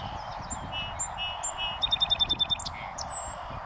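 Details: A North American Song Sparrow on a northern USA prairie sings clear high introductory notes, then a fast trill of about nine bright notes, ending in a few varied chips, over a soft wind hiss.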